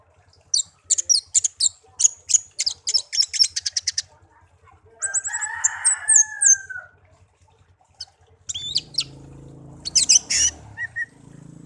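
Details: Songbird kept as a pet since young and now tame, delivering long runs of rapid high clicking chirps, a lower buzzy slurred phrase, and later trills over a rumbling background noise.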